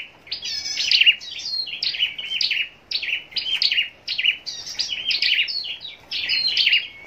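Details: Vigorous contest song of a caged scarlet-backed flowerpecker from Long Thành, southern Vietnam: dense strings of sharp high ticks and chirps pouring out almost without break.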